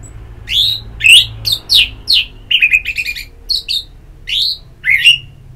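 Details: An orange-headed thrush (Geokichla citrina) sings a rapid run of varied, sweet whistled phrases, rising and falling, about two notes each second with brief pauses.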